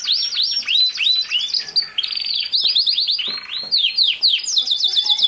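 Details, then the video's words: Canary song played to train a young male canary: dense, loud sequence of arching chirps and rapid buzzy trills, varied and continuous with hardly any gaps. "How to make a CANARY Sing fast | The BEST video for CANARY SINGING"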